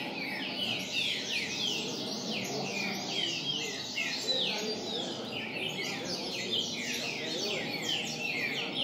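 Green-winged saltator song: rich, rapid whistled phrases of sweeping notes, repeated without pause over a dense background of other chirping birds.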